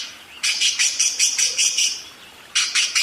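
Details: Budgerigar chattering in loud, rapid bursts, a run of buzzy pulsed notes for about one and a half seconds, a pause, then another burst of harsh chirps.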